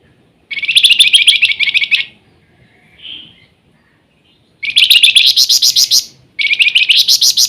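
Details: Flamboyan singing often and energetically in the nyiul style: three high, rasping bursts of quick, regular pulses, each about one to one and a half seconds, with a faint soft note in the gap.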